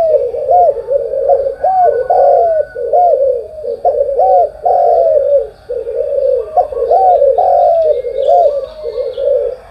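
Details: Spotted dove cooing in the morning: low, hoarse coos run almost nonstop in rounded, rising-and-falling phrases that overlap one another, with faint thin chirps from other small birds high above.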